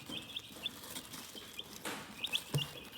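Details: Brief burst of calm chicken chirping, a few clear high peeps in pairs, one soft knock and light rustling.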